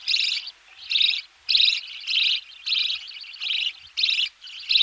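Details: Close recording of budgerigar chicks calling while fed in their nest: rasping, buzzy high-pitched bursts, each about a third of a second, coming in a steady pulsing series nearly twice per second, faint knocking underneath.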